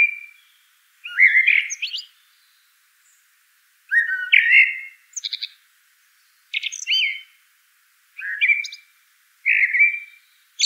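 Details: Mellow whistled phrases of a Eurasian blackbird, repeated about every one to two seconds, several tipped with thin high chattering squeaks, in otherwise quiet surroundings.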